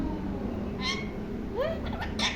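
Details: A talking blue ringneck parrot gives three short, rising, nasal syllables about every half second, like clipped mimicked words, over a steady low room hum.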